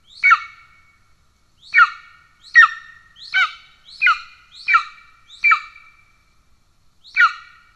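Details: At a golden eagle nest in Estonia, 17 July 2024, with the father bringing a pigeon to an already fed chick. Eight short, sharp, harmonic yelps come in uneven bursts, and a quiet pause separates the first from the rest.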